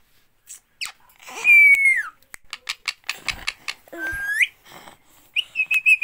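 A parrot gives loud, harsh whistles that sweep down and then up, broken by rapid clicking chatter, in a small room.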